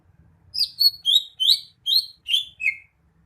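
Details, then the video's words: Greater green leafbird song of seven evenly spaced, bright whistled notes, mostly slurred, ending on a lower descending note, against a faint low background hum. "Kicauan burung cucak hijau"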